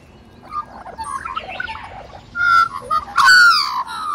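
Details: A hungry Australian magpie begs: soft warbling notes giving way to loud, nasal, whining squawks that slide downward, like a jet plane's whine.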